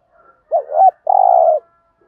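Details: Spotted dove giving a coo meant to prompt decoy doves to coo in reply; one low phrase: a short wavering double note followed by a long, steady, slightly buzzy coo.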